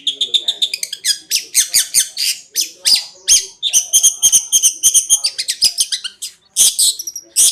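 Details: Long-tailed shrike (cendet) performing konslet song as training material: nearly continuous, varied, jumbled twittering and chattering, partly whistled with buzzy bursts, in fast uneven runs.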